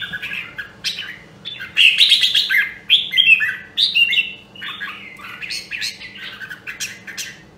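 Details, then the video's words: Voice-training red-whiskered bulbul of the Nam Đông, Huế strain: sharp chirps lead into a lively run of loud whistled slurs, then the phrases grow softer and choppier toward the end; low hum behind. "Luyện giọng Chào Mào Nam Đông Huế"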